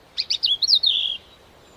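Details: Caged pet zebra finches relaxing beside their wicker basket nest, unedited original audio: a quick burst of four or five high, sharp chirps runs into a longer, wavering note that slides slightly downward, all within about one second, over a quiet background.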